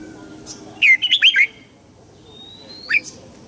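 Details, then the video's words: Red-whiskered bulbul in morning song for training young birds: one lively phrase of four rolling, whistled notes, then a single rising note after a pause of about one and a half seconds. "Luyện giọng chào mào hót sáng hay nhất để luyện má trắng"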